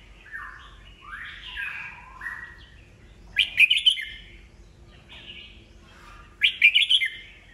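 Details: Red-whiskered bulbul, an old wild-caught bird, singing to provoke rivals into song; soft descending slurred whistles, then two loud quick warbled bursts about three seconds apart.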